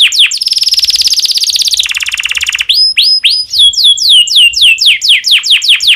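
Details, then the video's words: Domestic canary in breeding condition singing, used to stimulate other canaries to sing: a fast buzzy trill of rapid high notes, then a lower buzzing roll, then a series of downward-swept whistled notes repeated several times a second. "PANCINGAN KENARI BIRAHI cocok untuk merangsang burung kenari supaya cepat bunyi"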